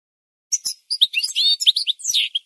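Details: Twittering goldfinch song for training birds: quick high chirps lead into sustained buzzy notes and liquid trills, ending in a sweeping descending twitter, with a quiet background.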